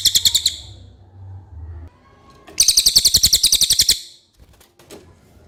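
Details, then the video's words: Clear common iora song for masteran tutoring: a short rattling burst, a pause with low hum, then a loud run of quick buzzy pulses lasting about a second and a half, followed by faint clicks. "suara cililin jernih pas untuk masteran MB"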